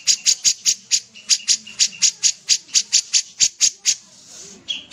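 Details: A long, fairly regular sequence of sharp, high ticking notes from an actively singing sooty-headed bulbul, about three or four per second, ending in a pause and a short tonal whistle.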